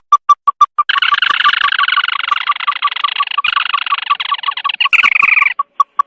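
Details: A red-legged crake, in a night-time bird lure recording, gives a few evenly spaced nasal notes, then a long, harsh, chattering trill of about four seconds, before the single notes resume.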